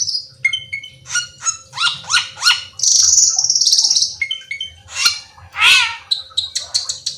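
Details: Black-winged myna song mixing short whistled notes and rasping squawks with a long buzzy churring rattle and a loud harsh screech, notes coming in irregular quick succession against a soft low hum.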